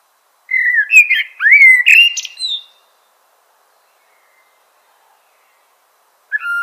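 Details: Common blackbird sings one rich, varied fluty phrase of about two seconds with a high squeaky flourish, followed by a long quiet pause and the start of another phrase.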